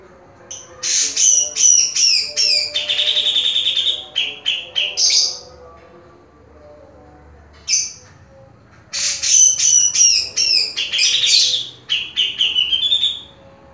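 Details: Two bursts of vigorous song from a caged grey-cheeked bulbul: dense mixes of sharp whistles, buzzy trills and chatter, separated by several seconds of near-quiet with a single note, over a steady low hum.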